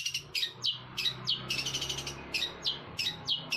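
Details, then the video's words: Eurasian tree sparrow in Jember, Indonesia, giving its song in the style of a shrike: sharp, descending, chirped notes repeated roughly every third of a second, interspersed with rough chattering, over a faint low hum. "Suara burung gereja versi cendet Damar Wulan"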